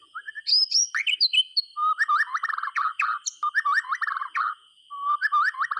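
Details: White-rumped shama song used to get silent shamas singing: rich, rapid strings of slurred whistles and chattering notes in repeated bursts with brief pauses, over a faint constant high tone.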